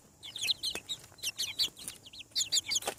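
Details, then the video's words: Hatching chicks on a farm produce loud, shrill peeps in quick runs of two to four notes, each a bright falling chirp, with a few sharp clicks between. "Chick sounds. Hatching From Egg"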